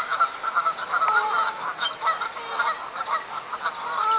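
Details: Group of Canada geese in April 2015 at Duke Farms, New Jersey, mating season with fights over females; dense mix of honks and cackles from many birds, fairly distant and blended.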